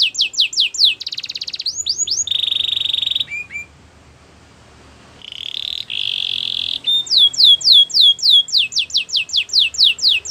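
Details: Belgian canary song used for training, with fast descending whistled notes, a buzzing trill, a short break with two soft chips, then more buzzy rattles and a return to quick falling whistles.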